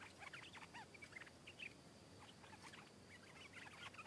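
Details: Wild stripe-throated bulbul singing back at a caged bird and descending to fight it: steady stream of short, bubbly chirps and quick slurred notes across the whole stretch.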